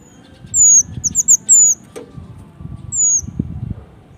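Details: Male mountain leaf warbler singing: very high, thin downslurred whistles, a few drawn out and others clipped in a quick cluster, over a low rumbling background.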